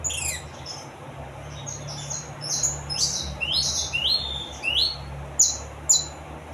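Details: Saffron finch song: a lively string of high chirps and rising, slurred notes, roughly two per second, ending with two sharp emphatic notes, over a soft low hum.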